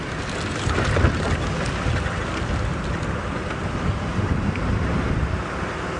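Steady low rumble of a vehicle engine with wind buffeting the microphone; no animal calls stand out.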